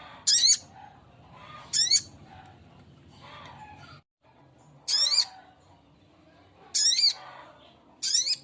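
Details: Little spiderhunter male calling a female, giving sharp, buzzy, high rasping call notes, five bursts spaced one to two seconds apart, with soft background rustle and hum.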